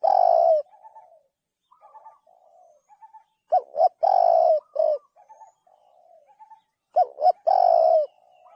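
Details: Repeated loud, low spotted dove coo phrases, each a long mellow note followed by quick shorter coos, separated by softer, faint cooing notes; no other clear sounds.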